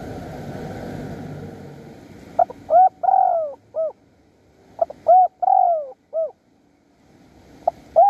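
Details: Spotted dove calling for a mate at Bang Bai Mai, Surat Thani, Thailand, while wild doves are lured: two mellow, descending, three-to-four-note coo phrases about two seconds apart, a third beginning at the end, over a soft hiss early on.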